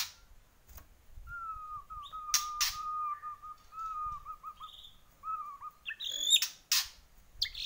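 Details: Borneo white-rumped shama delivering a long steady whistled note with slight wobbles lasting several seconds, punctuated by sharp clicks, followed by a brief burst of high squeaky notes.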